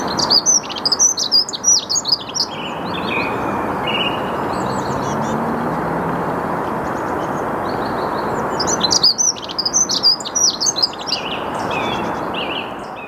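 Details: Dunnock singing in the early morning at 08:55 on 8 March 2022 in the Saarn-Mendener Ruhraue, Mülheim an der Ruhr, Germany: two bursts of fast, jingling high warbled phrases, with a song thrush and a steady low roar of traffic behind.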